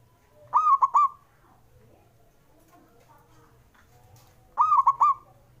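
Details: A male zebra dove calls to spur doves that are slow to sing: two identical phrases of fast, clipped coos about four seconds apart, with only faint background noise between.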